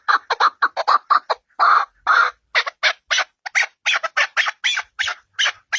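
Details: Partridge giving a run of harsh, chattering call notes, fast and uneven, with a couple of longer grating notes partway through, clear and close.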